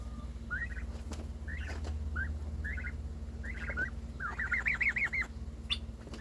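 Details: Pet domestic turkey, one of two siblings, making new noises when its sibling got more attention: a run of short, rising, chirpy yelps, several quick clustered notes, over a steady low hum.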